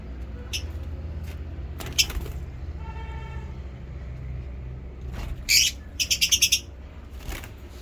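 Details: Lovebirds chirping: a few faint high chirps early on, then a loud sharp burst and a quick run of about six clipped, high-pitched chirps near the end, over a steady low rumble like distant traffic.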